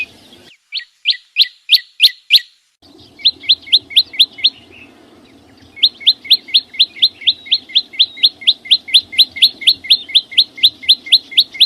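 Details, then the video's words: Green flowerpecker (chim sâu xanh) giving bursts of high, down-slurred whistled notes in quick even series, separated by short pauses, over a steady low hum. "tiếng chim sâu xanh hót chuẩn"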